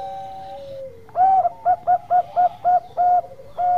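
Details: Zebra dove of Bangkok stock in lure song that makes others call: a fading lower coo, then a loud series of short rhythmic cooing notes ending in a longer note, another dove faintly behind.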